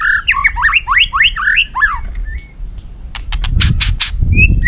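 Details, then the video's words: Competitive singing of a caged white-rumped shama (chòe lửa, murai batu): rapid sequence of rising and falling whistled slurs, then sharp clicking bursts and a short high note over low rumble. "hót dụ chim kích lửa hót đấu căng lửa"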